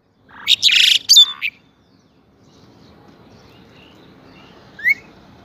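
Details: Pied myna in morning song at Saifai, Uttar Pradesh, filmed on a mobile. A loud burst of grating, buzzy notes and one sharp whistle lasts about a second, followed by quiet and a single distant rising whistle.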